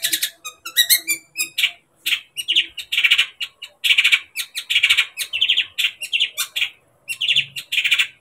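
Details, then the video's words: Long-tailed shrike (cendet) song meant to provoke other shrikes into agitation and singing: a fast, varied run of harsh chatters and scratchy, high-pitched notes in short bursts with brief gaps. "Berikan suara cendet ini kepada cendet anda di jamin cendet akan emosi dan gacor"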